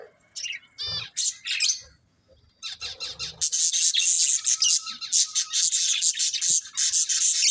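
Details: Budgerigars: a few separate squawky chirps and trills at first, then a loud, continuous wash of overlapping high chattering and twittering from several birds.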